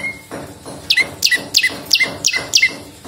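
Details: Vigorous prenjak lumut prinia song for luring and tutoring songbirds: sharp two-part chirps, a high flick dropping to a lower note, repeated about three per second over a low hiss.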